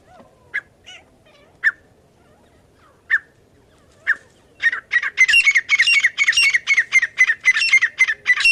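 Partridge calls, harsh and squawky: a few spaced single notes, then a fast run of loud, ringing, repeated notes, about four a second.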